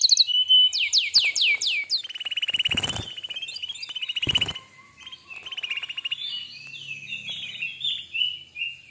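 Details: Canary song from a recording meant to teach young canaries and get silent ones singing: rapid falling whistled notes, then repeated rolling trills broken by two loud clicking noises, and varied twittering phrases toward the end.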